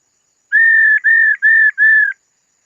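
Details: Four loud, sustained, level whistles of equal length in an even row, from a female laughingthrush calling to excite a male; silence before and after.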